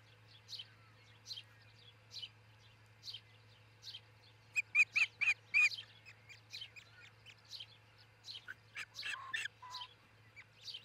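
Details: At a nest in Charlo, Montana, a nesting osprey pair recorded by camera at dawn on 22 June 2018: a burst of four or five loud, clipped, high cheeps amid steady, repeated high songbird notes in the background.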